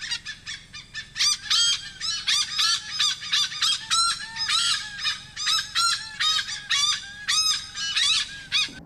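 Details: A Malabar pied hornbill (Anthracoceros coronatus) in Sri Lanka gives loud, harsh, cackling calls in quick, uneven bursts, about three or four each second, with no other clear sounds.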